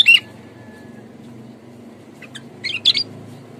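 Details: Sooty-headed bulbul giving loud, clear, bright chirping notes used as a lure call: one at the start, then a quick cluster of bubbly phrases near the end, over a low steady hum.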